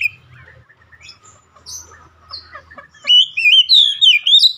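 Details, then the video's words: Oriental magpie-robin, a kept bird; soft scattered notes at first, then a loud, rapid stream of looping, rising and falling whistles in the final second and a half. "KACER SETRES LANGSUNG GACOR"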